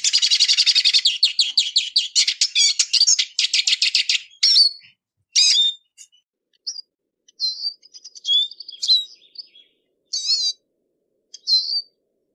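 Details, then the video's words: Eurasian siskin opens with a rapid, dense twittering trill that slows, then gives single high chirps and short slurred notes spaced about a second apart. "EURASIAN SISKIN SONGS Spinus Spinus Singing"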